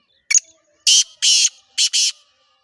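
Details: Female black francolin giving a call to rouse the male: one brief scratchy note, then two pairs of loud, rasping, hissy notes delivered in a clipped rhythm.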